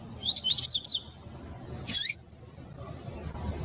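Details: Female double-collared seedeater (coleiro tui tui) calling to stimulate males, as used by breeders preparing birds for tournaments; a quick burst of four high, sharp chirped notes, then a single chirp about a second later over faint low background hum.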